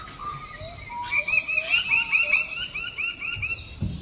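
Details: Lesser bird-of-paradise (Cendrawasih) in Papua: a lively burst of bright, hooked notes repeated quickly and rising then falling in pitch, several voices overlapping, with a low thump at the end.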